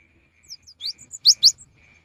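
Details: Cinereous tit used as a rainy-season lure: a brief phrase of soft high chips building to two loud, sharp, piercing notes in quick succession.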